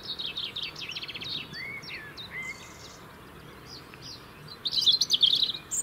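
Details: Robin singing in the UK to maintain a winter territory: quick high trills and sliding whistles, a quiet pause, then a loud, dense, sparkling trill near the end.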